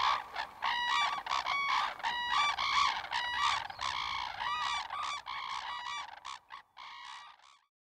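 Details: Several red-crowned cranes in eastern Hokkaido on a clear winter morning, courtship dancing; bursts of brassy, honking calls in quick uneven series, overlapping voices, fading out toward the end.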